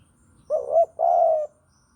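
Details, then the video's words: Javanese spotted dove song, used as a lure for bird trapping: two clear, low cooing notes, the first short and slightly rising, the second longer and steady, against a quiet background. "Pancingan Derkuku Jawa || Cocok Buat Masteran Pikat"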